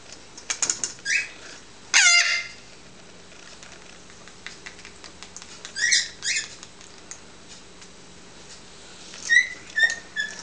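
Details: Two 3-month-old eclectus parrots being hand-fed at their nightly feed give short, rasping squeaks and chirps in scattered bursts, with a louder harsh squawk near the start and camera clicks between.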